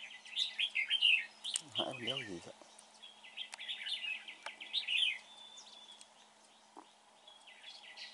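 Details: A red-whiskered bulbul at a trapping site sings bright, bubbly whistled phrases in quick bursts, pausing briefly between them, as a man's voice cuts in briefly early on.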